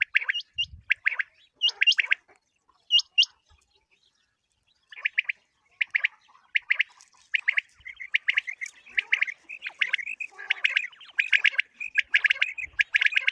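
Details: Common quail calling, played for quail hunting: thin hooked upslurred whistles early on, then a long run of rapid clipped pulse groups repeated about once a second, getting busier toward the end.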